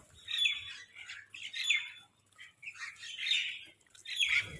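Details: Crows squabbling over food: bursts of harsh, buzzy squawks come in ragged clusters about every second and a half, with short gaps between the outbursts and a quiet background.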